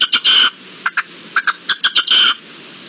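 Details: Red-legged partridge in the wild, March 2022, delivering loud grating chuck-chuck notes that run into longer rasping phrases, repeated in a choppy rhythm above a low steady hiss.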